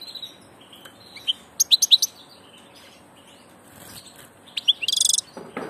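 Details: European goldfinch of passage twittering: a tight cluster of high chirps, a quiet gap, then more chirps and a short buzzy trill, with a brief low rustle at the end.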